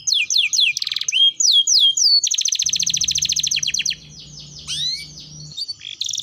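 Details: Energetic canary song for stimulating other canaries to sing: repeated falling slurs, then a long rapid rattling trill, followed by softer rising whistles and short bursts, with a faint low hum in the middle.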